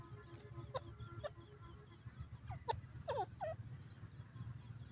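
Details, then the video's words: Male francolin, known locally as teetar, calling: a few short sharp notes, then a cluster of quick rising and falling chirps near the end, over a steady low hum and faint background chirping. "Male Pheasant Bird Calls,teetar bird speaking"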